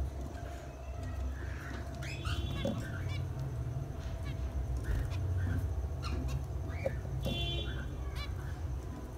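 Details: Zebra finches, a male and a female, utter brief nasal beeping notes at uneven intervals, with a few clearer stacked calls near the end, against constant low-pitched background rumble.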